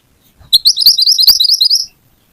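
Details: Loud, rapid high trill from a little pied flycatcher, a sharp burst of quickly repeated notes lasting just over a second, used as a lure to make other birds sing.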